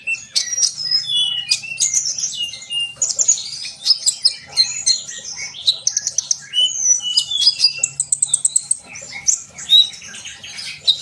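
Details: Sunbird pouring out a lively, high-pitched twittering song with quick chirps, whistled slides and a brief fast trill, almost without pause over a faint low hum; the song serves to stimulate young birds.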